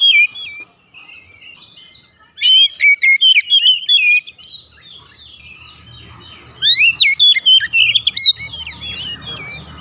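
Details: Oriental magpie-robin kept at home, its song a lure for other birds to start singing: soft warbling, then two energetic bursts of rapid, looping whistled notes over faint low background hum.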